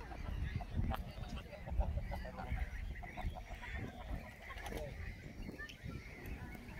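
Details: A family of geese walking in a park, giving faint, scattered short honks over a heavy low rumble of footsteps and movement, with people talking nearby.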